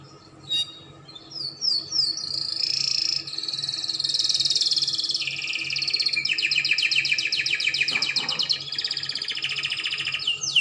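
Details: A Spanish Timbrado canary sings a few opening chirps and swooping notes, then long continuous trills, one smooth and one a rapid pulsed rattle, lasting several seconds.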